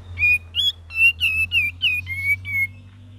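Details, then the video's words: Cream-vented bulbul singing a lively varied 'gacor' and 'ngeriwik' style song: eight clear whistled notes, some rising and some level, given in quick uneven succession over a low steady hum. "KAPAS TEMBAK VARIASI GACOR DAN NGERIWIK"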